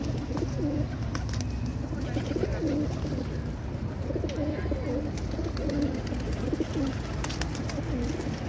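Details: Racing pigeons in South Africa give soft, low, throaty coos that rise and fall and overlap every second or two. A steady low rumble and scattered clicks are heard.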